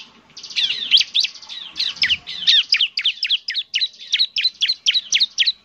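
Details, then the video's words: Bar-winged prinia, a semi-active singer used as a lure, giving a fast series of high, sharp chirps that drop in pitch, about four per second, with buzzy notes mixed in. "pancingan suara ciblek semi gacor"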